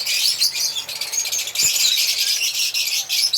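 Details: Constant high, squeaky chatter from African lovebirds with rapid overlapping chirps and no real pauses.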